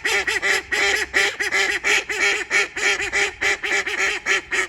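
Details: Female call duck, a school pet in Saitama, Japan, quacking without pause: a rapid, insistent series of harsh nasal quacks, three to four per second, loud and close throughout the recording.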